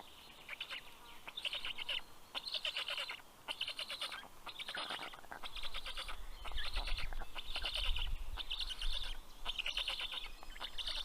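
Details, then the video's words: Black stork chicks greet the adult male delivering fish to their nest in Karula National Park, Estonia, at 11:00 am on 11 June 2023. Raspy rattling bursts repeat about once a second, with a low rumble in the second half. "Funny greeting sound by the Kids"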